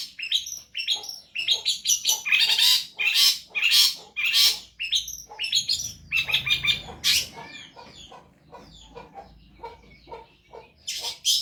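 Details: Indonesian long-tailed shrike, known as cendet, singing vigorously for a tutor recording. Loud bursts of harsh high chatter and squeaks come in strong clusters, then fade into softer, spaced clicking notes before a final loud burst.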